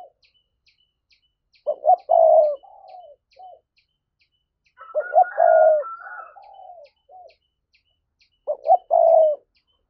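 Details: Spotted dove giving the driving 'thúc' coo, meant to provoke wild doves: three phrases about three seconds apart. Each has a double note, a long loud coo and soft falling trailing notes, with a faint higher whistle over the middle phrase.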